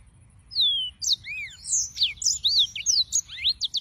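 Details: Yellow-fronted canary (Serinus mozambicus) delivering song: a drawn-out falling whistle, arched slurs, then an accelerating jumble of sharp high whistled notes to the end.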